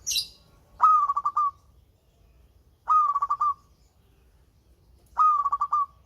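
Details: Local zebra dove with a sweet voice, played to coax lazy birds into singing, repeats one phrase about every two seconds: a sharp rising start, then rapid pulsing coos, three phrases in all. A brief high chirp opens the recording.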